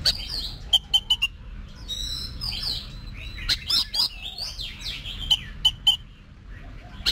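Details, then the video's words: Competition-trained Oriental magpie-robin singing fluid whistled phrases that swoop up and down, mixed with quick bursts of crisp repeated ticks, over a faint low electrical hum. "Luyện Giọng Cho Chòe Than Hót Đấu"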